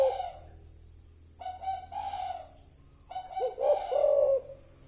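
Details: Spotted dove sound used as a lure for decoy trapping. Low, mellow coos come in short clusters separated by pauses, ending in a longer rolling phrase.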